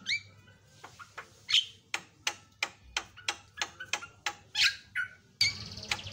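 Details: Javan myna tutor recording made to make other mynas agitated; sharp clicking and harsh rasping notes in a loose series, roughly two per second, with a few higher buzzy squeals between them.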